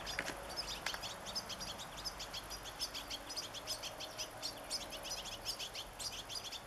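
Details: European goldfinches (Carduelis carduelis), a family of five with young birds in a garden, 27 August 2014: steady stream of high, tinkling chirps and twitters, several birds calling over each other, soft outdoor hush.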